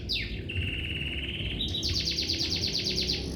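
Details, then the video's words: Lovebird giving a sharp falling chirp, then a steady buzzy note and a quick rattling series of repeated high chirps, about two per second, over a low hum. "Lovebird Chirping Sounds"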